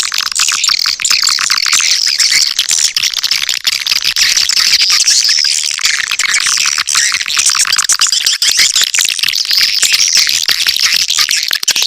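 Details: Swiftlets calling in a lure recording: rapid, crackling clicks mixed with thin high twittering chirps, forming an even, unbroken chorus for the whole stretch.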